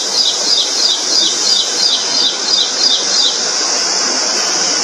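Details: Indian prinia, a small bird with a strong song, giving a fast, regular run of high, sharp chips, about three each second, over loud steady high-pitched background hiss.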